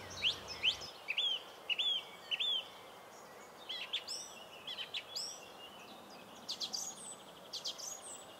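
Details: Singing song thrush (Turdus philomelos), typically repeating each strophe several times, sings a clear high phrase four times in quick succession, then varied sharp chirping notes over soft hiss.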